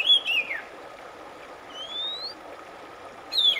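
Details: Oriental magpie-robin, from a track to relieve a stressed bird: a falling whistled slur, a lone long rising whistle after a pause, then a brief whistle at the end, over a soft hum.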